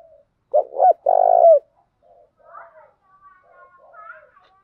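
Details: Spotted dove coo used to train decoy birds for trapping: two loud low coos, a short hooked note then a longer rolling purr-like coo, followed by faint softer coo notes.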